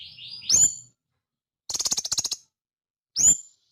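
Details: Indonesian sunbird: a rising high squeak ending in a sharp chirp, a pause, a short fast buzzy rattle, then another piercing upswept chirp.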